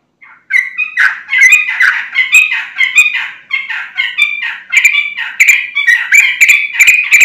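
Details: Sooty-headed bulbul (trucukan) singing hard as a lure so other bulbuls respond: about seven seconds of steady, chattering warbles with rapid bubbly whistled notes, strengthening toward the end.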